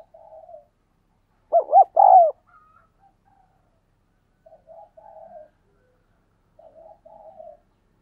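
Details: Spotted dove giving a thúc gù coo, used to train decoy doves and draw wild doves to answer. Soft murmured coos, then one loud phrase of two quick hooting notes and a longer sustained coo, then more quiet burbling coos.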